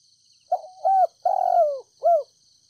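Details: Spotted dove kept as a decoy in Ninh Thuận, gently calling to lure wild doves: a low mellow phrase of a short note, a hoot, a long sliding coo and a closing coo, with a thin steady high hum behind.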